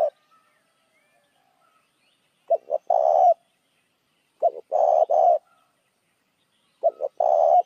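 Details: Lure call of a spotted dove meant to draw in other doves: three low cooing phrases, each a short double note followed by a longer breathy coo, spaced roughly every two seconds over a silent background.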